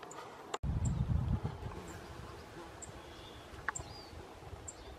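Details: Rustic bunting family group in Hedmark, 2016, giving sharp, very high, thin ticking calls roughly once a second against a quiet rural background, with a sudden low thump and rumble near the start.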